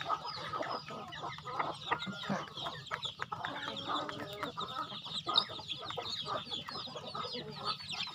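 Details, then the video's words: Farm chickens being fed, a busy flock giving overlapping clucks and calls throughout, with higher chirps mixed in and a steady low rumble underneath. "Feeding chicken in my farm"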